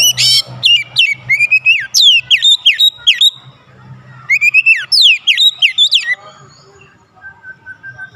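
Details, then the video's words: Oriental magpie-robin song used as a lure to provoke other magpie-robins into agitated singing: a loud held whistle that slurs downward, followed by rapid rising-falling whistled notes. The phrases repeat after a short pause, with faint low hum beneath. "PANCINGAN KACER ANTI BISU mancing Kacer lain cepat emosi dan gacor"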